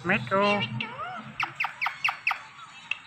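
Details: Indian ringneck parakeet talking: raspy, voice-like opening syllables, then a regular series of short, sharp clicking notes about every quarter second.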